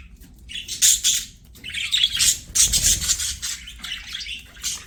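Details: Budgerigars singing while playing: dense, bright high chirps and squawky warbles in rapid bursts, several birds chattering at once with short pauses between phrases.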